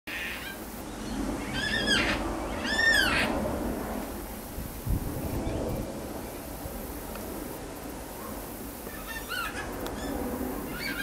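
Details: Yellow-tailed black-cockatoo in a eucalyptus tree in urban Sydney, heard from a backyard: loud arching wailing calls come in two close bursts early, then softer repeated calls near the end, over steady wind and traffic rumble.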